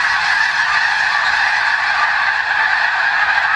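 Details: Large flock of snow geese on Fir Island in clear weather: an unbroken wall of overlapping high honking calls, loud and even throughout with no pauses.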